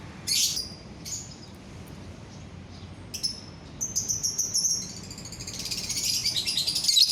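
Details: A lovebird sings so that others join in: scattered high chirps give way to a long, rapid, buzzy chattering trill that grows louder toward the end.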